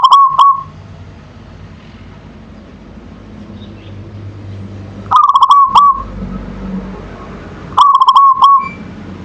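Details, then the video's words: Zebra dove of local stock singing manggung: three trilled coo phrases spaced two to five seconds apart, each a staccato run of bright notes ending in a short held tone, with soft low hum between. "Suara Perkutut Lokal Manggung"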